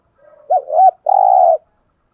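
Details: Spotted dove used as a caller to set wild doves calling, in the 'giọng thổ' style. It gives a soft lead-in, two quick wavering low notes, a brief pause, then a long even drawn-out coo, all in a quiet setting.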